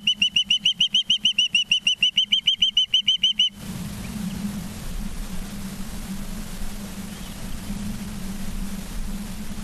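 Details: Osprey at its nest in Charlo, Montana, 19 September 2023, 20:14, gives a fast run of piercing whistled chirps, roughly three each second, then stops, leaving a constant low hum and background rumble.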